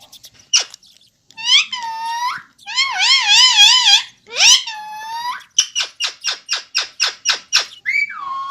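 A ringneck parrot gives wavering, voice-like talking phrases with harsh squeaks, then a quick run of about ten short, shrill chattering notes.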